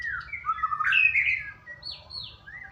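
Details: White-rumped shama song used to lure the bird into singing: varied whistled phrases that slide up and down, with a rising buzzy middle section and high, swooping clear whistles toward the end, over low background rumble.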